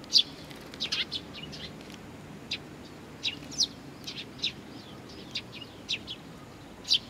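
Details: Young birds awaiting their parents at Tenmangu, Nakanoshima, 25 June 2020: a scatter of thin, high, piercing chirps, several in quick clusters at the start, then single notes at uneven gaps, over low background noise.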